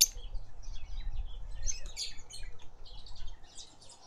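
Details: A red-faced mousebird at a bird bath in a suburban garden in Pretoria, South Africa, gives a scatter of thin, high chirps and short twittering notes, fairly quiet, over a steady low background rumble.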